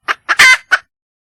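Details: Wild red junglefowl hen calling for a mate, giving a brief burst of four harsh notes: two short clucks, a loud rasping squawk, then a final clipped cluck.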